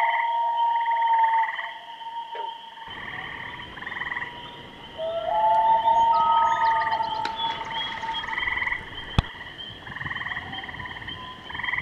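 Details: Common loons calling: a long, drawn-out tonal wail, steady then rising, repeated several times, with pulsed, trilling bursts and a constant high-pitched hum in the background.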